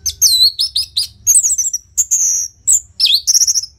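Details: Caged orange-headed thrush giving loud, fast song meant to coax silent birds into singing: a dense run of varied high whistles, slurred sweeps, buzzy trills and sharp chips with brief pauses.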